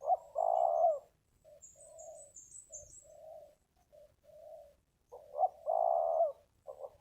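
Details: Spotted dove from the wild, at a ground decoy arena, known for fine phrasing: a loud rolling coo, softer short coos, then another burry phrase. A faint high twitter from another bird sounds early on.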